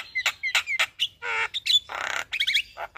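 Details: Javan myna in morning song, used as a master recording for training caged birds: short whistled notes, harsh grating squawks, a rasping burst and a quick trill of whistles.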